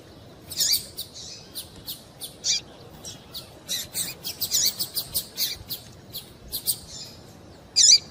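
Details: High chirping from a female double-collared seedeater, used to stir a male into song. Many quick, thin notes come in loose clusters, with a louder burst right at the close.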